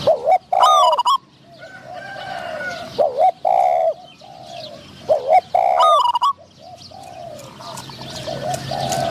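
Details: Spotted doves in decoy trapping: a caged bird calls to attract wild doves, one with a medium-pitched voice. Repeated low coo phrases with bright high whistled bursts, fading toward the end into steady background hiss.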